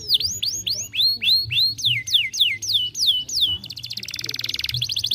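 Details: Canary song played to stimulate a young canary: a run of loud, clear, downward-sweeping whistled notes, about three a second, then a fast, buzzy rattling trill.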